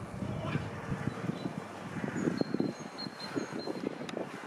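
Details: Mallard drake at a zoo gives soft, low, rasping notes in quick irregular bursts over a steady murmur of background noise and faint high whistles.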